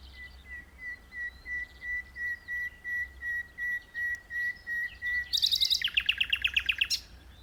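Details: Common nightingale singing from an open perch in a tree: a long run of pure whistled notes near one pitch, about two per second, then a loud fast rattling burst of clicks and trills.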